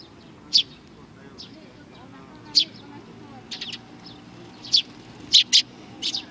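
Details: Several sparrows at a Tenmangu shrine on 22 May 2019 chirp in short, high, bright notes. The notes are scattered irregularly, then bunch into quicker pairs toward the end.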